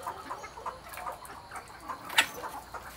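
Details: A hybrid red junglefowl of dark-red 'pradu' colouring, awaiting comb trimming, gives soft, low clucks about every half second, with one sharp louder click partway through, against a faint background hiss.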